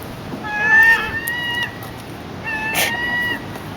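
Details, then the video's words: Seagull begging for food with two drawn-out, nasal squawks, one fading into a second, thinner than the first, over background chatter and a brief noisy clatter. "Crazy Seagull Squawks"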